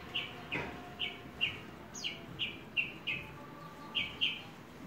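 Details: Horsfield's bush lark kept as a hobby bird: a series of about ten short, clipped chirping notes, evenly repeated about twice a second, with a steady hiss of background noise.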